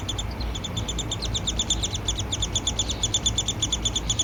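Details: Nestling downy woodpecker, fed by the male parent in an Alberta, Canada yard, July 12, 2026: steady stream of sharp, high ticking chirps, roughly two per second, with a low rumbling background noise throughout.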